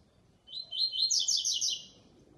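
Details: Double-collared seedeater performing a special song in a singing show: a high whistled start runs into a fast, rich, buzzy warbled trill with rising and falling notes lasting over a second before fading.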